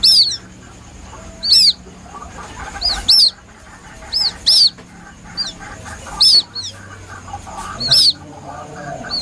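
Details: White-breasted waterhen (Amaurornis phoenicurus) chick calling: high, thin, arched peeps, singly or in quick pairs, every one to two seconds over a faint low hum.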